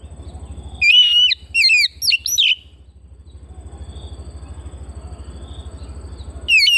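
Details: Home-kept Oriental magpie-robin gives a quick run of sharp, sweeping whistled notes, falls silent for several seconds of soft background noise, then resumes with a bright slurred phrase.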